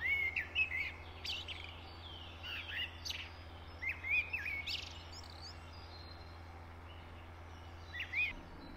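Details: A Eurasian blackbird sings fluted, warbling whistled phrases closed by thin, scratchy high flourishes, with pauses of a few seconds between them over a constant low background drone.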